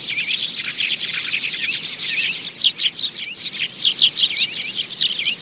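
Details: Sparrows chirping busily in a lure recording, many short bright chips and twitters overlapping in a steady chatter, sounding like a small flock calling together.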